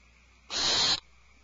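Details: One harsh, breathy screech of about half a second from alarmed owlets inside their nest cavity, a broad hissing burst that starts and stops sharply against a quiet background hum.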